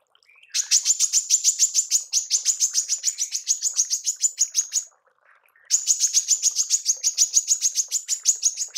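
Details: Tembakan from a female manggar, used to train songbirds: two long runs of fast, piercing high chips, roughly three and a half per second, separated by a short pause.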